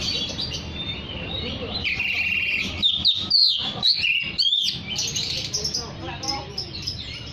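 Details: Lively oriental magpie-robin song aimed at calling other magpie-robins: a buzzy trill followed by a burst of loud, varied whistled notes and sharp chirps, fading into softer twittering with a low steady hum behind.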